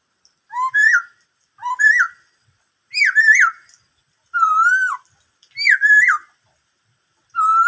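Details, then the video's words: Repeated whistled phrases from a black-throated laughingthrush singing "bắt cô trói cột", some two-part with a low lead-in, others a long level or wavy whistle, six phrases with brief pauses between. "em khướu bạc má hót bắt cô trói cột"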